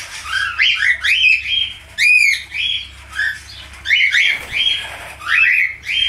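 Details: Budgerigar calling in bursts of sharp, scratchy chirps and short squawks, roughly one burst a second, with brief quiet gaps between phrases.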